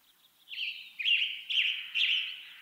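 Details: Western tanager singing in western North America: four short, burry, slightly hoarse phrases about half a second apart, each a loud rough warble, in a steady series against a quiet background.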